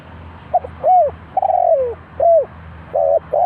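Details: Spotted dove, cu gáy, kept as a trap decoy in Ninh Thuận. Its coos are arched and falling, with a long descending phrase in the middle, followed by flat repeated notes. A low mechanical hum runs throughout.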